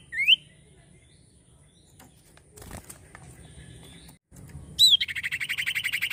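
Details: Common iora: a single sharp rising whistle, a quiet gap with a soft thud, then another rising whistle running into a buzzy rattling trill.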